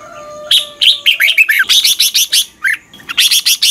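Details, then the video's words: Red-whiskered bulbul singing its morning song, used as training audio for other bulbuls: a lively run of rapid, bright chirps and warbled notes, many in quick succession, pausing briefly before resuming. "luyện chào mào hót sáng. Hót hay nhanh căng lửa."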